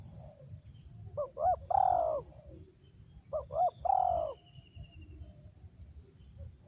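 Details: Spotted dove decoy bird with a 'ngeruk' voice gives two identical phrases roughly two and a half seconds apart. Each has a short double note that leads into a long, rough, slowly falling coo. Soft coos can be heard in the background.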